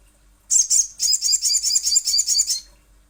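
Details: Little spiderhunter giving a brief pair of shrill notes, then a two-second run of rapid, harsh, very high chattering notes at an even pace.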